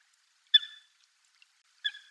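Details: Two abrupt, bright calls from a wild Eurasian coot, each a quick sharp note with a brief trailing tail, about a second and a quarter apart, in otherwise near silence.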